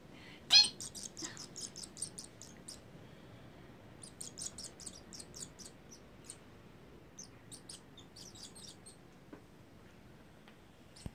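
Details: Hungry baby swallows in a storeroom begging: one loud harsh squeal opens, then rapid clusters of thin, high chirps in bursts, busiest early and again midway, thinning toward the end over a quiet indoor background.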